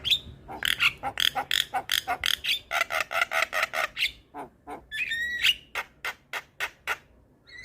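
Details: Javan myna singing a full 'isian' variation meant for tutoring silent mynas: a dense chain of harsh, scratchy chatter notes in quick succession, broken by a shrill ringing squeal midway, then further spaced raspy clicks.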